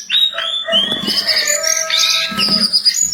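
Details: Vigorously singing jongkangan delivers a busy stream of high whistles and warbled notes, some steady and drawn out, others short and sliding, with soft low knocks underneath.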